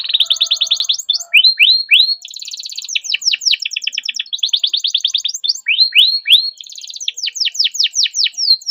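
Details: Caged canary singing a long continuous song, kept to prompt silent canaries to sing: rapid repeated downward-sweeping whistles around high pitch, interspersed with fast trilled rolls and buzzy rattling phrases, no other sounds.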